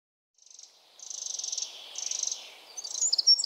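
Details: A Eurasian wren in the Czech Republic sings in rapid, very high trills: bursts of fast ticking notes, then a brief pause, ending with bright, piercing chips.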